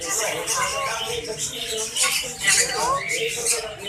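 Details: Pet green ringneck parrot, an Indian ringneck, talking in Urdu and Hindi. Its voice is a chattering, speech-like stream of rapid syllables with rising, squeaky inflections and short pauses.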